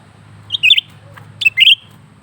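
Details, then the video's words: Lesser green leafbird in continuous song, two quick phrases in close succession: a twittering chirp cluster, then a sharp note leading into a longer rising whistled slur, over low background hum. "burung cucak ranting gacor terus menerus"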